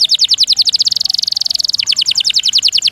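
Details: Canary master song for training, with long rolls and bursts of variation: quick descending whistles running into a dense, fast buzzing trill, then changing to a slightly lower series of clipped notes.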